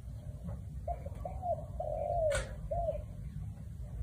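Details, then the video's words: Spotted dove singing a clear, melodious song in the one-kuk style: a phrase of four low, soft coos, the longest in the middle with a slight downward slide. A brief sharp click cuts in midway, over a steady low hum. "1 กุก เพราะๆ ชัดๆ นกเขาใหญ่"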